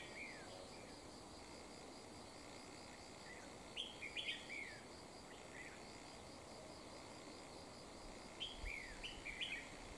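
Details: Red-whiskered bulbul being lured with a decoy in the wild: clusters of quick, sweet whistled notes, some rising and some falling, in two lively bursts, with a constant insect drone behind.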